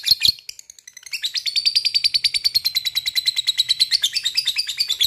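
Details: Long ngekek chatter from a lovebird, meant to provoke other lovebirds to sing: two harsh squeaks, a brief pause, then a sustained, fast, high rattling trill of rhythmic squeaky notes.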